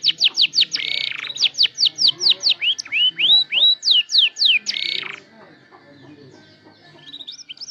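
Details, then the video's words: Canary beginning to learn its song, played as a lure recording: a fast volley of bright down-slurred notes broken by two harsh buzzy bursts and a few rising whistles, then fading into soft, scattered chirps. "KENARI MULAI BELAJAR BUNYI DAN NATA LAGU"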